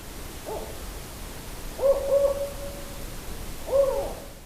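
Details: Male Spotted Owl in California's Sierra Nevada, recorded by an autonomous recording unit in a study of invasive barred owls: low, mellow hoots, a soft single note, a quick pair into a long drawn-out hoot, then another, over faint hiss.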